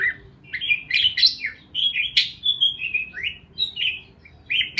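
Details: Parakeets give warbling, whistly chirps in short phrases, some notes sliding up or down. Quiet gaps separate the bursts.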